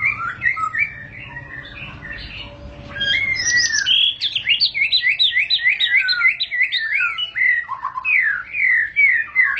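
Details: Long rolling song (ngerol panjang) of a White-rumped shama: soft warbled whistles build into a loud, rapid cascade of jumbled chirps and trilled notes that runs without break.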